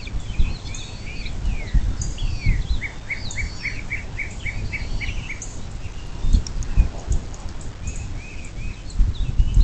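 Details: Bald eagle calling from its nest beside the Little Miami River near South Lebanon, Ohio, USA, nest-cam morning recording from 26 April 2024, 07:02: a rapid run of about ten thin, high piping notes, songbirds twittering and steady low rumble throughout.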